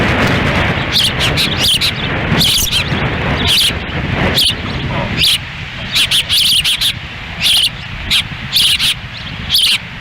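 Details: Wild ospreys at their nest in Lolo, Montana, on June 10, 2017, the female feeding chicks on a windy day while the male stands by; sharp, high whistled chirps come in quick bursts over a steady low roar of wind.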